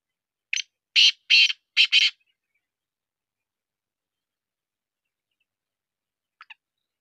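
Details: Black francolin of Sindhi breed giving a loud, harsh, grating call of five rasping notes in quick succession, followed by a faint short double note after a pause.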